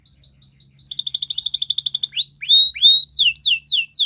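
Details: Belgian canary training song: a fast buzzy trill of repeated notes near the start, then a series of sweeping whistled slurs dropping and rising, each about a quarter second apart.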